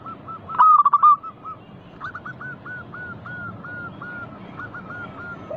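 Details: Local zebra dove singing vigorously as a lure for other doves: one loud phrase of rapid, rolling coos, followed by a long, steady string of softer, regularly spaced coos from more distant doves.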